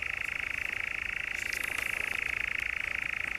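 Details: Steady reeling churr of a European nightjar in the Brecks, Norfolk, July 2017, a rapid uniform trill running on until it cuts off abruptly, with faint higher ticks behind.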